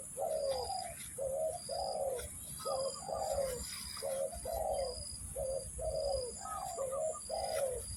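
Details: Repeated spotted dove coos used as a trapping lure: throaty two-note phrases, a clipped note followed by a longer downslurred one, about every second and a half, with a high steady buzz in the background.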